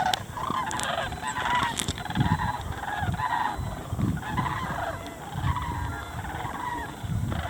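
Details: Sandhill cranes feeding in winter farm fields near Muscatatuck National Wildlife Refuge in southern Indiana. Rolling, harmonic, trumpeting calls repeat and overlap from several birds, over a steady low rumble of wind or distant engine noise.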